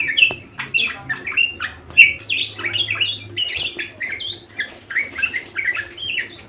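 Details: Budgerigar in full, persistent song, delivering a steady chattering warble of short chirps and buzzy twitters that run almost without pause, with a faint low hum beneath.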